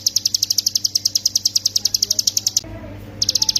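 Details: 'Ciblek gunung', the hill prinia, singing a master song in rapid 'ngebren' style for training songbirds: a long, even stream of sharp high ticks for over two seconds, a pause, then another quick run.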